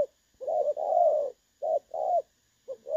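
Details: 'Dong son' call of a spotted dove, clear-voiced decoy recording for trapping, August 2024: a long, full coo, then a short note paired with a curved longer coo, and another short pair at the end.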